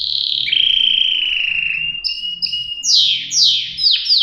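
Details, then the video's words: Singing canary draws out a long whistled note that slides gradually lower, adds a few short high pips, then ends with loud swooping notes that drop steeply in pitch. "صدای قناری"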